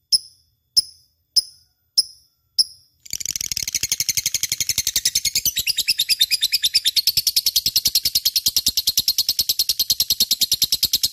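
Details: Lovebird used as a lure bird, opening with five clipped high chirps evenly spaced, then launching into a long, fast, buzzy chatter of rapid repeated notes.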